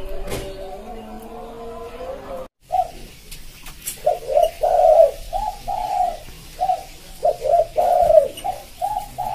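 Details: Spotted dove song for luring wild birds, smooth cooing in a 'pédo élem' style: after a brief cut, a long series of mellow, repeated coos grouped in twos and threes.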